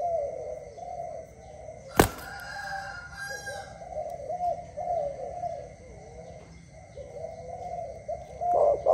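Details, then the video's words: A dove in the early morning gives soft, low, hollow coos in repeated phrases, one every second or two, with a sharp knock and a faint distant rooster-like call. "Dove animal singing at early morning"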